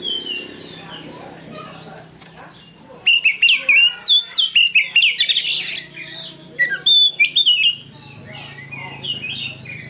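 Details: Caged Oriental magpie-robin singing a lure song: after a quiet start, bursts of loud varied whistles, sharp chips and mimicked notes pour out rapidly, over a low steady hum.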